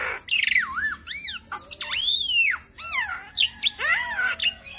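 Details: Black-winged myna song, a lure recording meant to set other mynas singing: loud, varied whistled phrases, some swooping down then up, others sliding, with rising notes and harsh squawky bursts.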